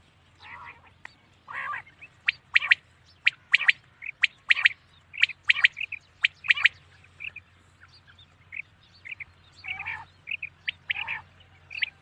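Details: Common quail at night giving repeated bursts of crisp triple notes, sharp and whip-like, in uneven runs with softer nasal notes between; a faint constant low hum in the background.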